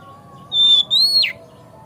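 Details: Oriental magpie-robin whistle used as a lure to make kept birds sing and open their tails: one pure, high, sustained note, a brief break, then a slightly higher held whistle dropping sharply at the end.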